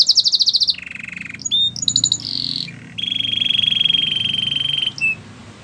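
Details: Canary singing a training song: rapid, bright chips, a low, rattling roll, a few sharp, separate notes, then a long, steady, buzzing roll lasting about two seconds.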